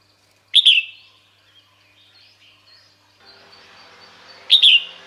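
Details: A female red-whiskered bulbul calls to summon males, giving two loud, sharp, high chirping bursts four seconds apart. Faint scattered bird notes and soft background noise fill the gap.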